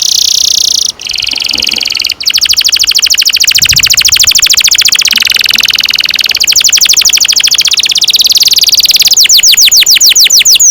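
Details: Canary delivering long rolling trills as a tutor song for young birds: sustained, rapid, high buzzing note series running over ten seconds with two short breaks, shifting speed and closing with slower swept whistles.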